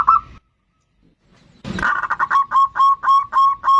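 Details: Zebra dove of the bodronoyo type singing as a lure for other birds: a brief coo, a quiet pause and a rustle, then a steady series of clipped, even cooing notes at about three or four per second.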